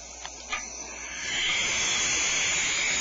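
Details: Owlets in a nest cavity hissing while a caretaker checks that all five are inside; a couple of soft clicks, then a long continuous breathy hiss swelling and holding steady.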